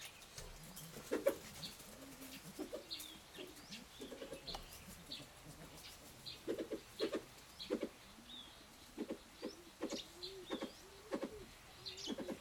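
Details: Mrs. Hume's pheasants (Syrmaticus humiae burmani) at a breeding center in Chiang Mai, Thailand give soft, low clucking notes in short bursts every second or so, with thin high chirps from small birds behind.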